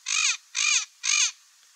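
Turquoise-fronted Parrot giving three harsh, raspy squawks, each about a quarter-second long, evenly spaced about half a second apart.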